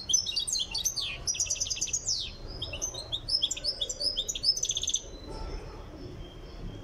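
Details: European goldfinch from Tiaret, described as nearing readiness in its song training, giving a fast, high twittering song of tinkling, buzzy and rapidly repeated notes in bursts for about five seconds, followed by a quiet pause.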